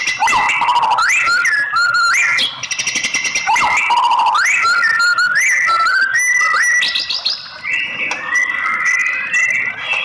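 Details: Female white-rumped shama calling to stir a male into excited singing: loud whistled slurs that sweep sharply upward, mixed with fast buzzy rattling bursts and chattering notes, delivered almost without pause.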